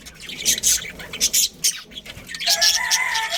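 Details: Budgerigars in a breeding colony chirp in loud, high bursts, then a warbling, whistled chatter with rising and falling tones takes over toward the end.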